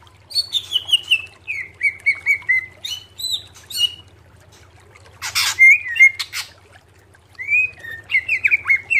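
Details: Greater green leafbird song used to train caged birds: descending strings of whistled notes in bursts separated by pauses, one broad noisy burst midway, low hum beneath.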